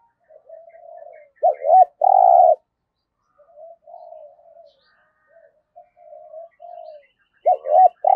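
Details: Spotted dove serving as a trapping decoy, with soft murmured coos leading into a strong phrase of two looped notes and a long held coo, repeated at the end; faint chirps above.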